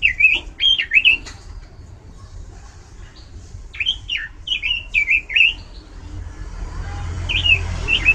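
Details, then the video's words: Oriental magpie-robin singing loudly with variation: short bursts of twisting whistled notes separated by quiet gaps, a last pair of whistles over rising low rumble. "ROBIN GACOR SUARA LANTANG DAN VARIASI"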